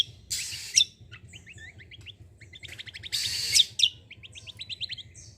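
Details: Cucak kombo tembakan phrases used to prompt untrained birds to sing: fast rhythmic runs of short notes broken by two loud hissing rasps, with a soft low drone behind.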